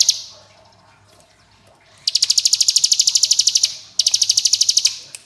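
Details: Ciblek gunung, the Bar-winged prinia, in long-duration 'ngebren' song. A short high note opens, then two sustained machine-gun trills of rapid, evenly spaced high pulses, separated by a short pause.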